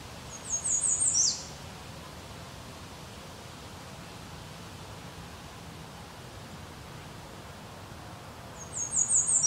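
American redstart sings twice, eight seconds apart: a quick, very high, thin series of repeated notes ending in an emphatic downslurred note, over steady background hiss.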